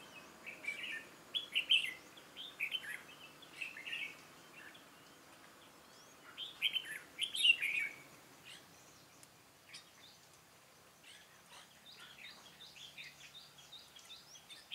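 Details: Red-whiskered bulbul decoy bird singing during trapping, fighting song: bursts of bright warbled, chattering phrases in short clusters, loudest in the first eight seconds, then softer scattered notes.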